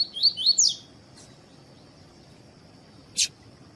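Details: Double-collared seedeater, tui tui song style, being warmed up with a female for song contests. Opens with a brief run of three rising whistles and a sharp final note, followed by silence except a steady whine and two clicks.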